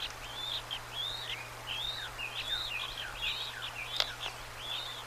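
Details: Bald eagle eaglets at a nest on March 25, 2024, a parent feeding them tiny bits of trout, the older chick over a day old. Thin, high chirps rise and fall in a quick irregular series, about eighty a minute, over a steady low hum.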